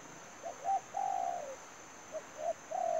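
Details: Decoy spotted dove kept for trapping wild doves. It gives two quick soft coos, then a drawn-out cooing note that slides downward, and starts another phrase. A constant thin high whine runs behind it.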